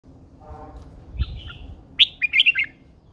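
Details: Red-whiskered bulbul, a caged bird described as a mature wild female urging a male into fiery singing: one short, bright warbled phrase of quick chirpy notes arrives near the end after a quiet, faintly humming stretch.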